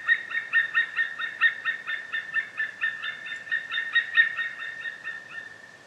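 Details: A white-tailed eagle calls a long, fast run of clipped, ringing yelps, a little over two per second, steady at first and then fading and trailing off at the end.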